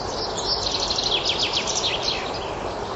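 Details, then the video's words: A common chaffinch sings in a forest in spring: a rapid run of bright, high notes sliding downward in quick bursts, over a steady hiss of background noise. "песни зяблика"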